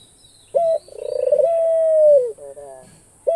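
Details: Australian dove, a pet bird: a brief note, then a pulsing build into a smooth, sustained coo that drops away at the end, with a couple of soft buzzy notes after.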